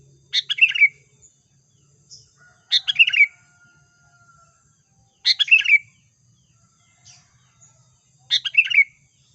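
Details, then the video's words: Sooty-headed bulbul song as a trapping lure: the same brief liquid phrase of tumbling chirps and a final downward whistle, delivered four times at roughly two-and-a-half-second intervals, with faint notes in between. "SUARA PIKAT BURUNG KUTILANG GACOR"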